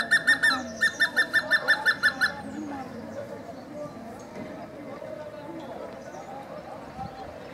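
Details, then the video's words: Hemprich's hornbill (Lophoceros hemprichii) calling in Dessie, Ethiopia, at Wollo University or outside a home: a quick run of about a dozen nasal, piping notes over two seconds, then silence against a soft murmur of background noise. "Hemprich's Hornbill Calling and Singing"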